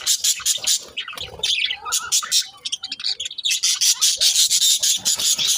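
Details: Pet budgerigars talking, a dense run of rapid high scratchy chirps and warbles with a few lower mumbled speech-like notes in the middle.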